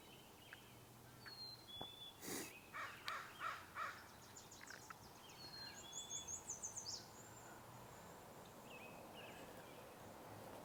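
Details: A couple of American crows calling as they fly through a marsh during a morning birding outing: a series of about six harsh, evenly spaced caws, then a quicker run of caws, with thin high whistles from other birds and a loud snort.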